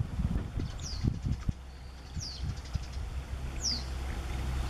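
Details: A parent Japanese wagtail perched in a tree in May 2021, alarmed because a fledgling was nearby, gives three sharp, high, downward-slurred alarm notes about every one and a half seconds over a steady low engine rumble.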